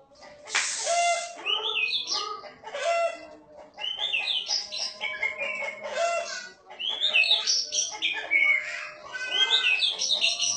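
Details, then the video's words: White-rumped shama singing vigorously in the gacor style: a loud, rich, continuous song of varied whistled phrases, rapid warbles, and sweeping rising and falling notes, with hardly any pause. "Burung murai batu gacor"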